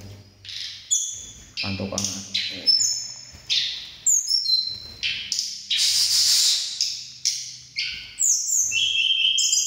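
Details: Mountain tledekan birds worked up on meeting one another, competing by voice for strength and beauty: bursts of high, sharp whistled phrases, some steady and some sliding, come in quick irregular succession, with faint low hum beneath.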